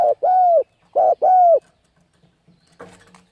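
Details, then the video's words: Spotted dove (cu gáy) giving 'thúc gù' cooing used to excite and lure birds and train young birds: two paired coos, a short note then a longer, slightly falling one, followed by faint scattered knocks. "Cu Gáy Thúc Gù Gáy Cực Phê Kích Mồi Tập Bổi Quá Hay"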